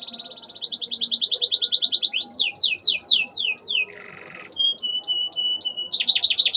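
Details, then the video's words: Caged canary singing a loud song filled with imitations of Ciblek and Ciwah clicking calls: a fast high trill, then downward-sweeping slurred notes, a brief buzzy burst, and evenly spaced clicking whistles with a flat tone, ending in rapid trilled notes. "Burung Kenari Gacor Mewah isian Ciblek & Ciwah(klik-klik)"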